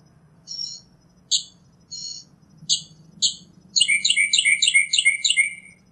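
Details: Five spaced, clipped high notes from a northern mockingbird, then a switch to a fast run of repeated bouncing, buzzy phrases in a higher-pitched rapid series.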